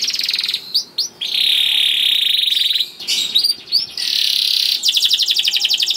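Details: Song of a young canary, played to set other canaries singing: long buzzy rolls alternating with brief sharp notes, ending in a fast pulsed trill.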